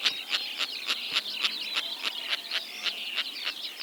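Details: Sociable Lapwings in Kazakhstan, either one or two birds (2013) or a small flock of eight (2025), give harsh, grating, rasping calls, about three to four a second, in a quick staccato chatter with several birds overlapping.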